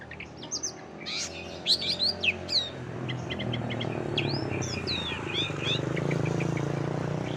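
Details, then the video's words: Songbird from a compilation of other birds' voices used to train contest shrikes, giving quick chirps and upslurred whistles in a burst near the start, then scattered thin notes over a steady low rumble. "MASTERAN SUARA KOMPILASI BURUNG LAIN"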